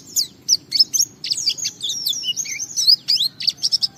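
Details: White-eye song used as a lure to get other white-eyes singing: a jumbled stream of high, sweet warbles, slurred whistles and short twitters with varied pitch.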